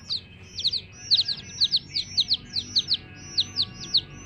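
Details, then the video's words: Domestic chicks chirping: bright, high peeps that slide downward, often doubled or tripled in quick bursts, several callers overlapping at an uneven, lively pace. "LOVELY Hen Baby Chicks, Witty MURGI Baby "Chicks Chirping" Sound"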